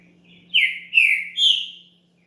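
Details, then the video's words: Green-winged saltator song from a champion bird, used to stir another saltator into singing: a short phrase of three clear, slurred whistles, falling and then lifting on the final note, against a steady faint hum. "ESQUENTE SEU TRINCA FERRO RÁPIDO NO CANTO DE UM CAMPEÃO"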